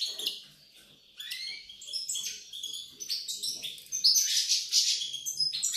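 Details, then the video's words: European goldfinch recorded 28 November 2020: a soft start, then an accelerating stream of high tinkling twitters, trills and sharp chirps, loudest toward the end. "GOLDFINCH SONG"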